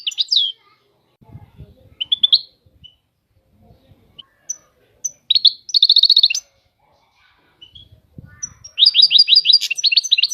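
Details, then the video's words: Goldfinch song in short bursts separated by pauses: twittering phrases, isolated high pips, and fast rattling trills, the last a long buzzy rapid series; faint low clatter and knocking between phrases. "طائر الحسون. اجمل الطيور المغردة Goldfinch. The most beautiful songbirds"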